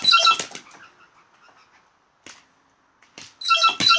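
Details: Blue jays giving loud, harsh, layered notes mixed with clicks at the start, a quiet gap with faint ticks, then another strong raspy burst closing the sequence.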